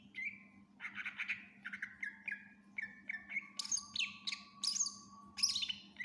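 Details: Cucak ijo, the greater green leafbird, singing gacor with full isian fills for training other birds: repeated buzzy falling phrases in a mid register give way to higher sharp whistles and chips, with a constant low electrical hum behind.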